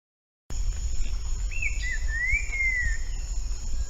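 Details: Wild green-winged saltator of the bico de pimenta type, singing in nature: one clear whistled phrase of slurred notes, dipping and then rising into a long sweeping whistle, over steady low rumble and a constant high electronic tone.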